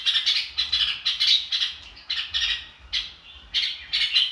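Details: Red-whiskered bulbul in the "ro kích bổi" manner: harsh, squawky bright syllables in short bursts about every half second, separated by tiny pauses.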